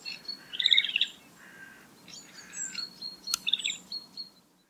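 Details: Male great grey shrike (Lanius excubitor) giving song and alarm calls: scratchy chatters, short buzzy notes and thin high whistles, with brief pauses between phrases.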